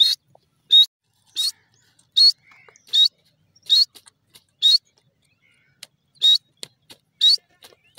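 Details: Morning calling of a grey francolin, known locally as teetar: loud, high, sharp notes repeated roughly every three-quarters of a second, ten in a row, with brief gaps and a quiet background.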